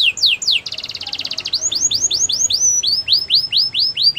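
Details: Training song from a Belgian canary: fast rising notes, a short pulsed rattle, then a series of clear down-swept whistles repeated about three per second, over soft background hiss.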